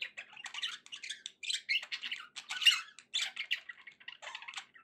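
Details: Softer chatter from pet budgerigars: clipped squeaky and scratchy notes in quick irregular bursts, one sharper squawk near the middle, otherwise a quiet room.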